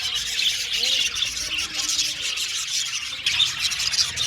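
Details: Budgerigars in an aviary colony, singing and chirping together: a dense, continuous wash of high warbling chatter with short squeaky notes, no single bird standing out.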